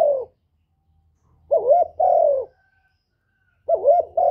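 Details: Spotted dove kept as a decoy bird, cooing close to the recorder: a short coo, a silent gap, then a rolling wavering coo and a long mellow falling note, then the rolling pattern starts again.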